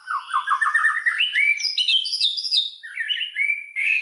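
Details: White-rumped shama lure song to excite other shamas: a run of quick repeated rising notes, then clear level whistles and slurred phrases stepping between pitches.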